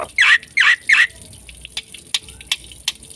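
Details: Black-winged myna giving three loud, harsh, raspy notes in quick succession, followed by faint scattered clicks and short ticking sounds.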